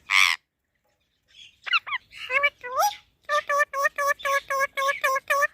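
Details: Parrot talking: one loud harsh squawk, a pause, a few swooping speech-like notes, then about a dozen steady, evenly repeated nasal syllables, like a chanted word said over and over.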